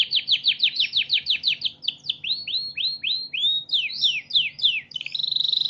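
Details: Canary song meant for training other birds: a fast series of falling notes, then upward slurs and swooping phrases, closing on a rapid buzzy rattle.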